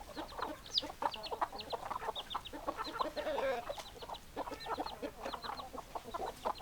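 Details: Flock of hens clucking steadily, overlapping short throaty clucks, with a sprinkle of thin high chirps repeating above them through the whole stretch.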